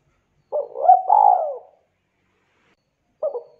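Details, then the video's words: Spotted dove calling to other spotted doves, which answer; one full phrase of low, mellow cooing with a rough, swelling middle note and a falling end, then the start of the next phrase after a pause. Otherwise quiet. "Suara burung tekukur deruk derkuku Gacor memanggil Tekukur lain Ikutan NYAUT Bunyi"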